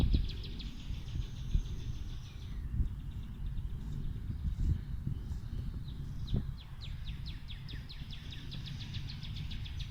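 A female northern cardinal sings rapid runs of clear, downslurred whistles, a short burst at the start and a longer series near the end, over a steady low rumble.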